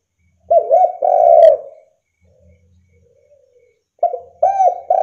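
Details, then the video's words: Spotted dove lure call for drawing responses from other doves: a low coo phrase of a short note then a long one, a pause of about two seconds, then a further run of coos begins. "DERKUKU GACOR SUARANYA BIKIN LAWAN NAIK MENTAL!!"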